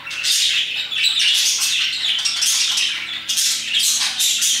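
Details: Around 2pm a group of parakeets keeps up busy, scratchy chirping, harsh squawks and brief whistles overlapping steadily, a quiet electrical hum in the background.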